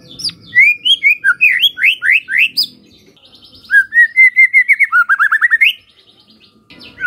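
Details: White-rumped shama lure song to make other shamas answer: bright whistled notes sliding upward in quick series, a pause, then a long even run of rapid repeated notes, over a faint low hum.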